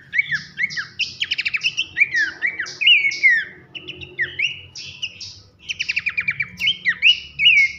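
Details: Loud nyiul-style masteran of Abbott's babbler meant for training competition birds: jerky whistled phrases, buzzy notes and short fast rattles, delivered in bursts with brief gaps, a gentle low hum underneath.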